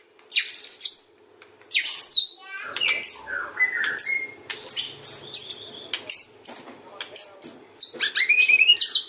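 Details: Kretekan and ocean style song of a white-rumped shama, meant to draw other shamas into replying: rapid bursts of harsh, crackling high notes mixed with short whistled phrases, nearly nonstop.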